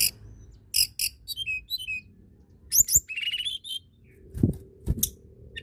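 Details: Blood-breasted flowerpecker, known locally as tledekan gunung, in lively song: rapid runs of very high, thin chirps and twittering notes in short bursts, with a couple of dull low knocks in the background.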